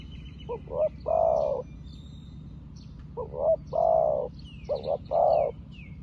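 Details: Spotted dove decoy bird calling wild doves down like a seasoned decoy: three quick-succession phrases of short double notes and a prolonged coo, while other birds twitter and whistle faintly and high overhead.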